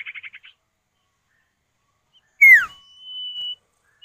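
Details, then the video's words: Common iora (sirtu or cipow) pair, male and female answering each other as a lure for other birds: a brief stuttering burst, a pause, then a loud falling whistle followed by a long, level, thin whistle. "Pancingan Burung Sirtu atau Cipow, suara jantan betina bersahutan"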